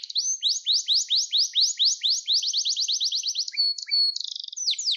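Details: Canary singing to train young canaries: a quick steady run of rising whistled strokes at about four per second, then brief pure tones and low chips, closing with a softer rapid trill.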